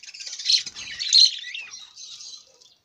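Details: Budgerigar warbling a short, continuous scratchy chatter of high notes that swells twice and then fades away.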